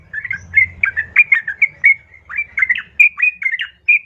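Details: A female yellow-vented bulbul calls a male with a steady stream of bubbly, warbled notes, some sliding down and some up. A faint low hum is heard early on.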